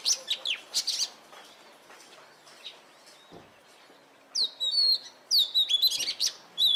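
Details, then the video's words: Oriental magpie-robin, called kacer, in lively full song: loud, clear whistled phrases and quick chirps in bursts, with a quiet pause mid-clip before rapid, sweeping high whistles resume. "Burung Kacer Gacor"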